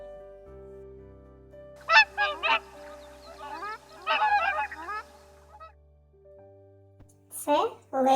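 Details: Swans, presented as migratory birds of Ukraine, give loud, nasal, honking calls in short bursts: three near the start, a tumbling cluster midway, and two more at the end, over a steady electrical hum.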